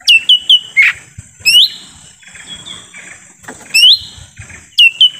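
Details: Lesser green leafbird call used as a lure for wild birds in the forest: ringing, upward-hooked whistled notes in brisk runs of two to three, one lower blurred note early on, soft rustling between bursts.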